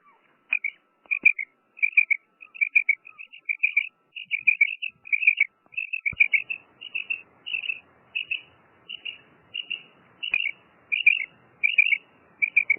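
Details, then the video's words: A female common quail gives short, high, paired chirping notes, repeated steadily about once a second throughout, over faint background hiss. "Female quail sound| madi batair ki awaz | batair karkaree| Maadi Batair Ki Awaz| Female Common quail"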